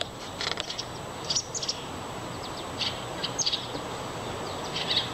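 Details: Begging chirps from young American robin siblings pestering one another: brief high squeaky notes in small clusters, a few quick doubled chirps, set against constant outdoor background noise.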